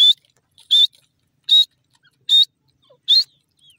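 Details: Grey francolin (dakhni teetar) calling a steady series of five loud, piercing notes, each briefly rising in pitch, evenly spaced about every 0.8 seconds against an otherwise quiet background.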